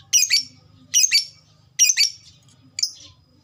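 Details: Lovebird kept as a fighter bird producing three harsh, rasping doubled squawks about one second apart, then a shorter squeaky note; faint low hum beneath.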